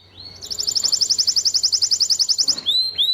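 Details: Timbrado canary song: a fast, even trill of bright metallic notes held for about two seconds, then a few rising whistled slurs at the end.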